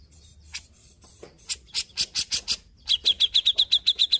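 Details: Grey-cheeked bulbul in full song: scratchy, noisy phrases build into loud rasping bursts, followed after a short pause by a quick, even train of bright, high chip notes.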